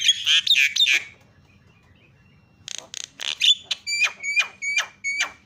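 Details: Javan myna calling as bait to make other mynas call: harsh squawks, a brief lull, then a string of clipped notes with clear whistled tones repeated about every third of a second.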